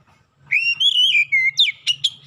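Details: Lure song of an Oriental magpie-robin: one short burst of bright whistles, a sustained wavering note sliding downward, then a few sharp rising chirps, with a soft low hum beneath.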